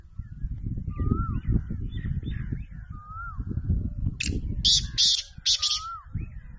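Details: Black francolin from Pakistan, a bird billed as a champion caller, gives one harsh, grating call of four rasping bursts late in the clip. Soft falling whistles from another bird repeat in the background over a low rumble of wind or handling noise.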